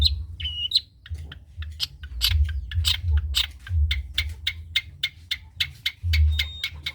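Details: Long-tailed shrike of the trotol variety, used as a tutor song for other birds. It delivers rapid, scratchy chattering with dense clicks and squeaky high notes, pouring out almost without pause, over a faint low rumble.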